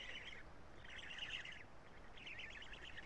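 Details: Black stork chicks in their nest at Karula during a late-morning feeding by the male, June 2017: three harsh, churring bursts, each under a second, spaced apart, over continuous noise.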